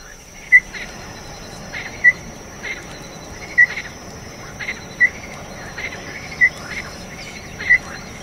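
Small-billed Tinamou giving short, clear piping whistles, one roughly every one and a half seconds, over a steady high insect hum.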